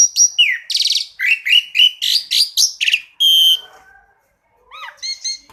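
A Black-collared Starling sings a fast, varied run of loud whistles, harsh rattles and sharp chirps, pausing briefly before a few rising squeaky notes.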